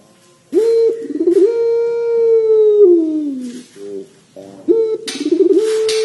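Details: A Barbary dove gives a long, drawn-out coo: a steady mid-pitched hum that wavers, then slides down before starting again.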